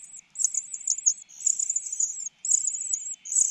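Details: Begging of a common cuckoo chick fed by its foster mother bird: shrill, wavering high-pitched notes in long runs of about a second each, separated by short gaps.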